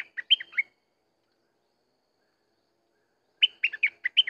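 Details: Two brisk phrases of clear, bubbly notes from a Sooty-headed bulbul, separated by about three seconds of silence. Each phrase is a quick series of up-and-down whistled notes.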